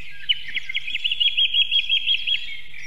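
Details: Osprey at a pair's nest in Võrumaa, South Estonia, 2022, near a river and fish farm, giving a quick run of about a dozen sharp, high whistled chirps over two seconds, over a low steady hum.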